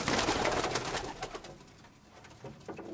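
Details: Young pigeon indoors, the same bird recorded at two weeks old and again at four months; dense bursts of rough squeaking and rustle in a small room fade midway, then a few short tonal calls near the end.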